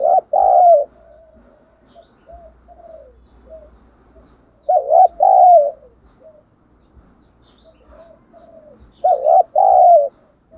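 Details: Spotted dove used as a lure, cooing in thổ style: three strong paired coos spaced about four seconds apart, each followed by softer trailing coo notes.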